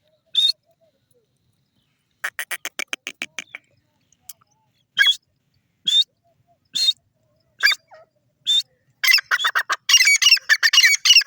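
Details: Grey francolin (Sindhi teetar): a lone high note, then a run of clipped rasping pulses. Piercing high notes follow at about one-second intervals, building into a loud, fast, harsh repeated series.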